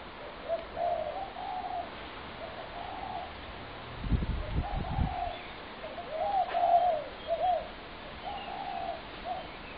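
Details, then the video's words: Several spotted doves, fed in a Brooklyn Park backyard on 6 November 2016, give mellow, overlapping coos in steady rounds. Dull low thumps intrude midway through the sequence. "Spotted Dove Backyard Noise Disaster"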